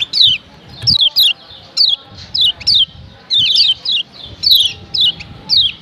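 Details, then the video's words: Female yellow white-eye from Lombok calling to provoke males: crisp high falling chirps, some doubled, repeated about once a second with brief pauses, faint low hum behind. "Ciak Ciak Kecial Kuning BETINA Ampuh Bikin Kecial JANTAN RIBUT‼️"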